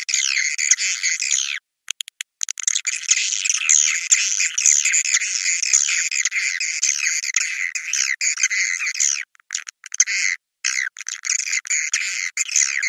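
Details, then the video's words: 'Naga Merah' swiftlet lure sound, played to attract swiftlets to come to nests: continuous high, chattering twitters from many birds, interrupted by short silent breaks and clicky cuts near two and ten seconds. "Suara Burung Wallet Naga Merah"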